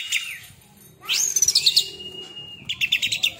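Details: Oriental magpie-robin, caged songbird trained as a 'tembakan' (shooting) style singer, delivering bright high whistled notes, a long sweeping rising note, then a level sustained whistle followed by rapid repeated chirps.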